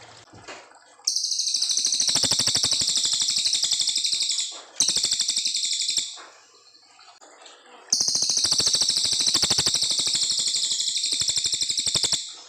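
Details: Long 'nembak panjang' song of a brown fulvetta, clear-voiced and used to tutor young white-rumped shamas: three extended rapid high trills of rhythmic repeated notes, the first and last lasting several seconds each.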